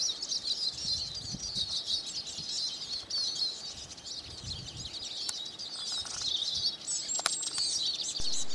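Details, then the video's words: Eurasian siskin song: a dense, fast, high twittering chatter with wheezy notes running almost without pause, and low rumbling noise underneath. "Siskin Song"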